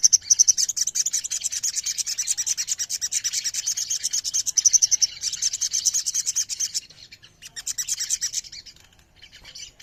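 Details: Ruby-throated myzornis, or sogon, delivering a long, hissing, high-pitched trill of tightly packed notes that fades quieter and sparser during the last three seconds.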